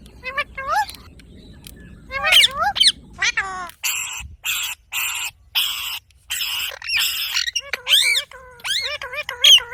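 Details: Pet ring-necked parakeet talking, mixing clear harmonic speech-like phrases with rising and falling whistles and bursts of harsh broadband chatter, several short utterances in quick succession.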